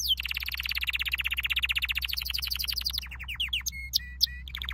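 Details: Canary training song: a long fast trill of rapid repeated notes drops slightly in pitch and speeds into a rattling series, then breaks into a few high metallic pure notes and short bright whistles.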